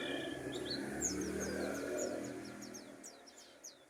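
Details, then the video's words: Mountain white-eye (pleci dakun) from Pacitan: a rapid run of thin, high, downslurred whistled notes, several per second, over a steady low rumble of engine-like background noise. "burung pleci dakun pacitan"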